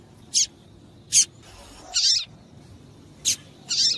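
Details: Female double-collared seedeater call used to get the male going: five piercing high chips in four seconds, two of them drawn out and scratchier, otherwise quiet.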